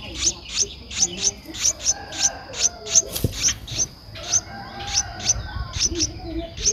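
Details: Streak-eared Bulbul chick, 11 days old, in Ubon Ratchathani, Thailand, 13 April 2023: a long run of around twenty high, sharp squeaks, briefly pausing midway, over a continuous high hum and faint low rustles.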